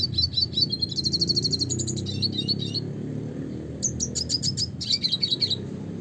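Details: Red siskin in full classic song: rapid high trills and repeated sharp chirps blending into buzzy twittering, sung almost without pause over a steady low background rumble.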